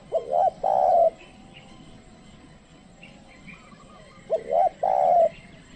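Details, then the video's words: Trained decoy spotted dove luring wild birds. Two identical coo phrases roughly four seconds apart: clipped rising notes leading into a sustained low croon, with faint distant chirps between. "pikat tekukur ajaran memanggil burung liar"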